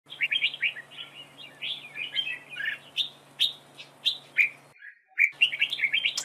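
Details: Red-whiskered bulbul used as a decoy in a trap duel, singing competitively: rapid, warbled phrases of bright chirps, then clear separate whistled notes at roughly half-second intervals, with a brief dropout near the end and a steady low hum beneath.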